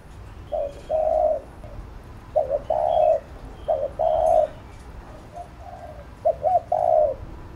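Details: Spotted dove giving 'thúc gù' style cooing used to train a newly caught bird: low hollow coos in four phrases, each a short note or quick double note then a longer sustained coo, spaced about two seconds apart, faint chirps behind.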